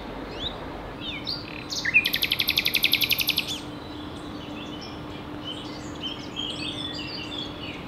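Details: A Common Nightingale (Luscinia megarhynchos) sings at 11:20 on 27 April 2019 in Ostravice, Czechia, belting out a loud, rapid run of repeated rattling notes, about ten a second, amid softer scattered phrases and a faint steady hum.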